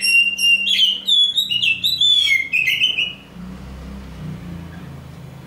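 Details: Oriental magpie-robin, black form known as Kacer Hitam and touted as a champion in the making, delivers three seconds of clear, sliding whistles and quick warbles, followed by quiet low-pitched hum.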